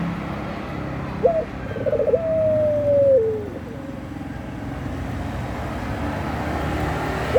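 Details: Puter pelung dove, a Eurasian collared dove in the mood to mate, coos once: a short rolling stutter leading into a long, smooth, gently falling tone, set against constant low vehicle hum.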